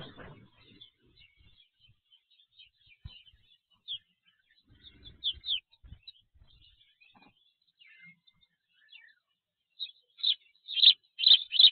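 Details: Spanish sparrows at a black stork nest in the Tajo Internacional area of Spain, where they build ball-shaped nests within the stork nest; scattered faint high chirps build into loud, harsh repeated chirps near the end, with a few low thumps.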